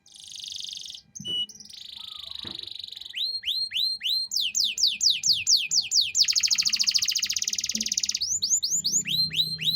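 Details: Varied cengkok mewah canary phrases recorded as a tutor song for young birds. A buzzy note and a steady whistle lead into clipped falling whistles, then a rapid rattling trill and more swooping whistles.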